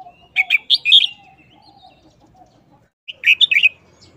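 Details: Short, quickly chopped wild-style song of a caged red-whiskered bulbul: a rapid run of four or five ringing whistled notes, a quiet gap, then a second similar bubbling phrase.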